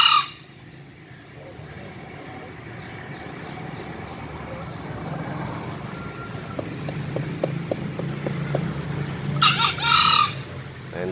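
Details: Green junglefowl crowing in lively form, credited to a supplement: two brief, hoarse, screechy crows, one at the start and one near the end, over a steady low engine-like hum with faint clicking between.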